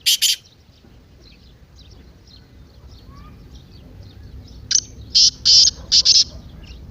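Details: Excited 'masti' call of a partridge (teetar), played to get a silent bird calling: one harsh double note, a long stretch of faint distant chirping, then a rapid series of five rasping, buzzy bursts.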